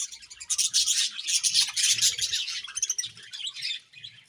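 Budgerigars chatter in busy, high, scratchy chirps and warbles that run together without pause.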